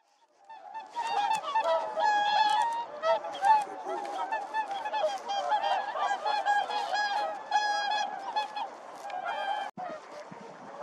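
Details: Whooper swans calling and dancing, trumpeting in loud, nasal, bugling honks that overlap from several birds at two or three calls a second. A brief thump sounds near the end.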